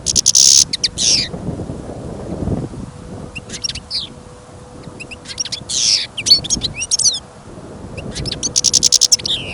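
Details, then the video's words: European goldfinch, a captive bird kept for listening, singing outdoors as snow falls and wind blows during a trapping outing. Loud, bright twittering with buzzy trills and tinkling notes comes in repeated bursts over steady wind noise. "Пение щегла - Голоса птиц. Щегол на прослушивании запел."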